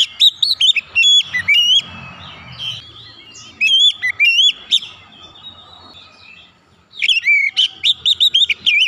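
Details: Oriental magpie-robin song for stimulating stalled or stressed birds: loud, sharp whistles with steep sweeps in clustered bursts, a quieter rambling stretch, then a fast, energetic run of notes.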